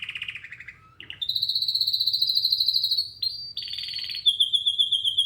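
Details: Canary singing continuously: a rattling trill drops to a low note, then a long, high, fast-pulsed trill, a brief rising sweep, a buzzy rolling phrase and a quick high chattering run.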